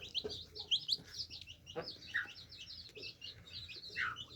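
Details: Young chicks drinking water, a flock of high thin peeps, some louder rising chirps standing out, over a faint low hum and sparse clicks.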